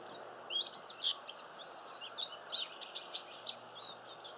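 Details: Silvereyes visiting a garden, giving a busy run of thin, high chirps and short warbled notes, several each second, over a faint steady background hiss.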